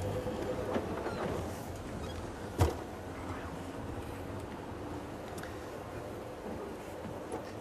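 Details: Idling vehicle drone with a sharp knock or door clunk midway and faint creaks, no animal calls present.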